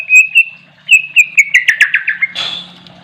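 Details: Oriental magpie-robin singing energetically: clear, steady whistled notes, then a quick falling series of sharp, repeated slurred notes, followed by a brief rustling noise.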